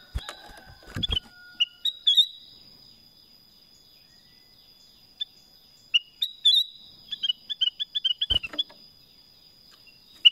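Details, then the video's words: Black-crested bulbul (kutilang emas) singing short, bright whistled phrases with quick rising and falling notes in two bursts, mixed with sharp knocking clicks and a faint steady high tone. "Suara Kutilang Emas | BLACK CRESTED BULBUL"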